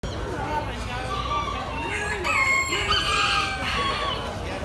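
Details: Black miniature chicken of the Aztec kikiriki line, shown at a poultry expo on October 20, 2019; a drawn-out, harmonic, wavering crow rises and falls over about two seconds amid steady crowd murmur.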